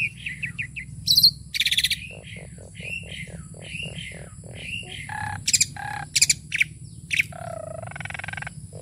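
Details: Tame Asian pied starling in full song with fill-in phrases: rising whistled notes, a series of about eight evenly spaced low piping notes, then harsh buzzy bursts and mixed chatter.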